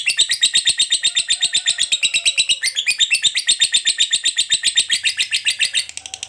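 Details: Fighter lovebird giving a long ngekek panjang chatter, used to provoke other lovebirds into singing: a rapid, steady stream of shrill buzzy notes, about four per second, running unbroken for over six seconds.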